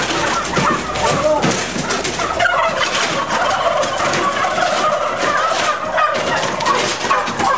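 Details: Intensively farmed turkeys in 2010 calling together indoors; a thick wall of overlapping yelps, short whistled chirps and gobble-like notes, constant in loudness, with a steady hum of shed noise underneath.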